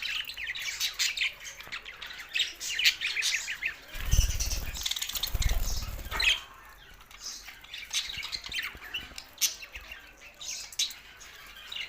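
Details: Pet budgies chattering with scratchy warbles and chirps, interrupted midway by about two seconds of low fluttering or rustling, possibly wingbeats, before the chatter resumes.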